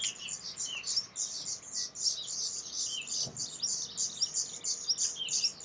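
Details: Close view of a black redstart: continuous bright, high twittering chirps repeated rapidly and irregularly, a few short downward-sweeping notes among them, and a single soft knock near the middle.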